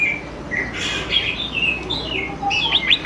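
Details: Greater green leafbird song played to coax young birds into singing: sweet whistled notes rising and falling, a quick chatter, then a run of sharp upslurred whistles in the final second.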